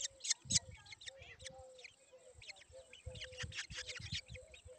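Black drongo chicks give rapid, scratchy high chirps, about four a second in overlapping bursts, over low thumping handling noise and a faint steady hiss.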